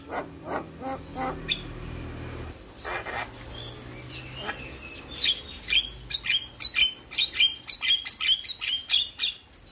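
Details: Javan pied starling singing as a master track for young starlings: clicks and harsh notes at first, then a quickening series of short, bright whistled notes repeated steadily toward the end.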